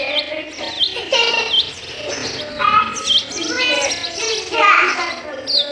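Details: Sparrow chicks being fed in the nest: sharp high chirps and short rising notes in bursts, mixed with lower voice-like sounds in the background.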